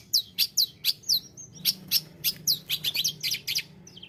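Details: Tledekan gunung giving rapid high chirps, each note sharply downslurred, repeated in a fast irregular series of about fifteen notes, with soft low background hum.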